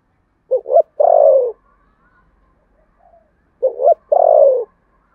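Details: Contest cooing by a spotted dove, Sấm Thổ voice style: two identical phrases about three seconds apart, each two quick rising notes leading into a long falling coo, with a soft murmur between.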